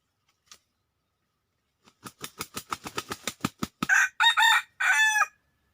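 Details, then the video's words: Wild red junglefowl lured in, arriving within two minutes: a run of short clucks quickening into a rapid series, then three loud, harsh, drawn-out squawking calls, with quiet surroundings. "ไก่ป่าเข้าเรือมากแค่ 2 นาที"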